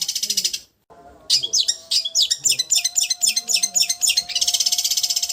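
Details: Raja getar style song from a long-tailed shrike, recorded as a tutor track: a buzzy trill cut off by a brief pause, then a string of quick, sharp, whistled chirps, closing with another rapid trill.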